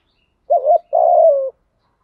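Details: Decoy spotted dove calling wild doves in: a rapid warbled opening note, then a sustained, slightly pulsing coo that eases downward at its end, in clean silence.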